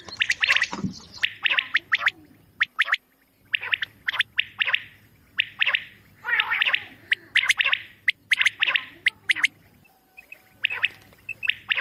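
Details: Quail calls used for hunting, recorded in Mianwali: dense, rapid series of high chirping notes in clustered bursts, nearly continuous, with short pauses and a low background hum that cuts out twice.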